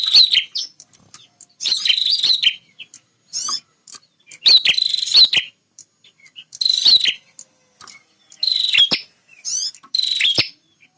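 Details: Male bar-winged prinia, an aggressive defender of its nesting and feeding area, repeating short buzzy rattles with clicking notes about every two seconds, with a few soft chips between phrases.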